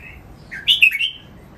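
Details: Single song phrase from a caged red-whiskered bulbul used for song training: a short, rich, whistled warble that climbs, then tumbles in three quick bright notes before trailing off, over a quiet background.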